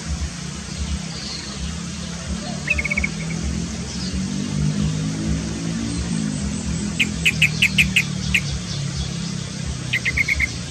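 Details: A yellow-vented bulbul (Pycnonotus goiavier), bathing, gives short bursts of quick, bright chirping notes, three or four phrases spread through the recording, over a steady low rumbling hum.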